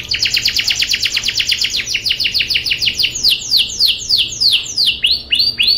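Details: Canary singing in an energetic rolling style, kept as tutor song for young canaries: a fast run of high repeated notes that gradually slows into longer, sweeping downward-curved whistles, each repeated in quick series.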